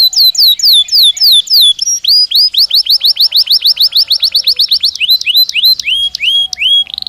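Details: Belgian canary singing naturally as a daily stimulus for training: downward-slurred notes giving way to a long fast series of rising whistled sweeps, then slower clear upslurs.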